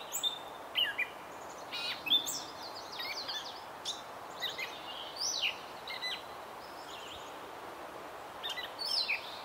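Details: Gray catbird song: a loose string of brief scratchy, chattering and whistled phrases with short pauses between them, clear against a quiet natural background.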